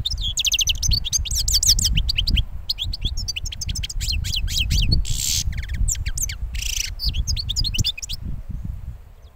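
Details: A young European goldfinch hatched last year, just finished moulting, sings a fast, twittering song of high, tinkling chirps and short buzzy rasps in quick bursts, over steady low rumbling background noise.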